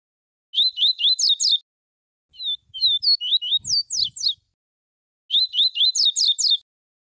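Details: A double-collared seedeater sings the pure "tuí tuí" song type in three quick bursts of high, sweeping whistled notes, each about a second long, used to warm up other seedeaters; a few faint low thumps fall in the middle phrase.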